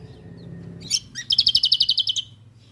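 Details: Lombok white-eye (kecial kombok) on a songbird training recording: a few sharp high chirps, then a fast, even trill of about fifteen bright ticking notes lasting under a second, over a faint low hum.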